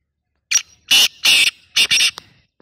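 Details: Black francolin calling: a short harsh note, then four loud, rasping, broadband bursts in a quick uneven phrase, with silence around them.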